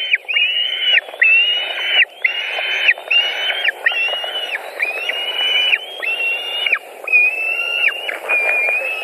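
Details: White-tailed eagles at a nest in Latvia on 26 June 2019, a young eagle taking a fish and eating: loud, strained squealing notes, each held then dropping sharply, in a steady run of about one per second.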